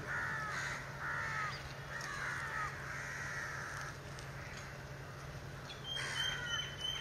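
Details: A spotted owlet recorded at very close range, not shy, gives harsh, scratchy screeching bursts, about five in seven seconds, over a steady low hum; a thin whistle enters near the end.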